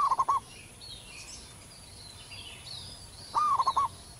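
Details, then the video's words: Zebra dove of the local type singing in the wild with a big, full voice. One rapid stuttering coo phrase at the start and another about three seconds later, with faint distant bird chatter in between. "perkutut lokal manggung gacor di alam liar suara besar"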